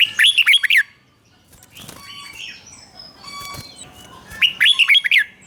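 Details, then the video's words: Red-whiskered bulbul singing a doubled 'rik' style song, played for young birds to copy: a loud burst of five or six quick warbled, slurred notes opens the recording and repeats near the end, with faint whistled tones and other birds between. "นกหัวจุกนกร้องริก เบิ้ล3 เปิดให้นกฟังก๊อปติดง่าย"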